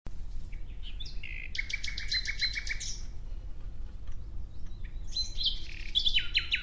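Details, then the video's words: Nightingale singing in a natural setting: varied phrases of buzzy rattles, then rapid repeated metallic notes and sharp descending chips, clear over a low steady background rumble. "Relaxing clear sound of Nightingale"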